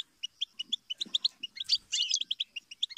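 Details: Goldfinch trilling in bright, fast twitters of high paired notes, with a scratchy jangling burst in the middle; soft low knocks or taps faintly underneath.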